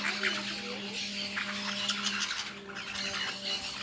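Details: Harsh, high squawks from lorikeets feeding on fruit in La Fortuna, short rasping notes in quick bursts over a steady low mechanical hum.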